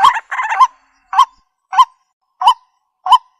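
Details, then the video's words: Waterhen calling, a recording used for bird trapping: a quick double burst of raspy notes, then single short croaks with a hooked upward-downward bend, spaced about two-thirds of a second apart against silence. "Jal Murgi Ki Sound |Jal Murgi Call Voice | Ban Murgi Ki Awaaz"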